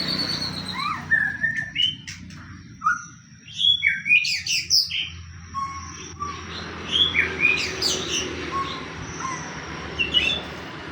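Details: White-rumped shama lure song for prompting other shamas to sing, heard over steady background noise: scattered sharp whistles and clicky chips spaced irregularly, with louder bursts midway.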